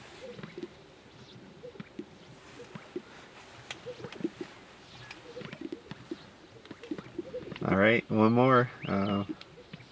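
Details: Greater sage-grouse on a lek in Fremont County, Wyoming, at the peak of breeding season, where males hold small display territories and females gather to choose mates; soft scattered pops and coos throughout, then a loud two-second burst of swishing, bubbly wavering notes near the end.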